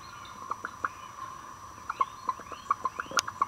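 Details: Chicken sitting broody in its coop, uttering soft, clipped clucks spaced irregularly about every quarter second, grouped into loose runs, with one sharper high note near the end.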